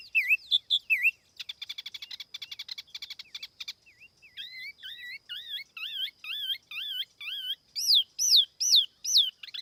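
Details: Tiểu mi laughingthrush lure song without background noise. A few looping whistles lead into a rapid buzzy trill, then a long series of repeated wavering, rising-and-falling whistled phrases that grow louder toward the end.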